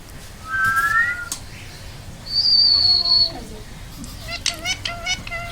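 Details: Pet rose-ringed parakeet mimicking human speech indoors: a rising two-tone whistle, then a long, steady, high whistled note, followed by short, harsh, harmonic talking syllables in quick succession.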